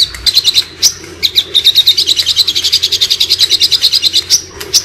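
A Hill Prinia pours out a rapid, high chattering run of sharp, buzzy notes, about eight a second, with brief pauses between bursts.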